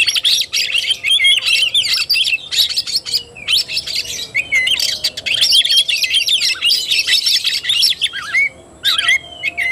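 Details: Oriental magpie-robin in fighting-style (kacer tarung) song, dated 17 August 2021: long bursts of rapid, harsh chatter mixed with clear rising and falling whistles, separated by brief gaps.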